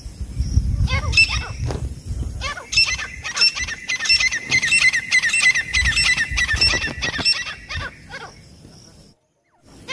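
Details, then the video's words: Francolin hunting call used to lure birds in: a long run of loud, grating, rhythmic notes, about one and a half per second, over low rumbling background noise, ending in sudden silence. "एक बार मे दश तितर आनेवाला आवाज़ | The sound of two partridges coming at once | francolin calling"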